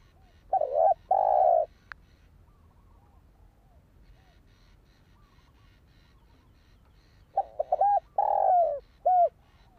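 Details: Spotted dove (Spilopelia chinensis) calling, played to stir up and train a decoy bird: a short stuttered opening, then a long mellow coo, silence for about six seconds, then a second stuttering coo phrase ending in a clear falling note.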